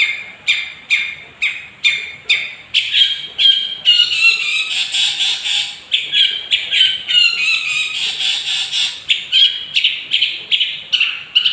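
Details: Lure song of a young 'gondrong' Long-tailed Shrike meant to stir up other birds: evenly spaced harsh notes leading into a long, busy, scratchy warble with brief whistled slurs.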